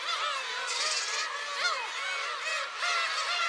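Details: Black-tailed gulls at a shrine on Friday 10 July: several birds mewing at once, drawn-out nasal wails bending downward, with a few sharper higher cries over a steady crowd murmur.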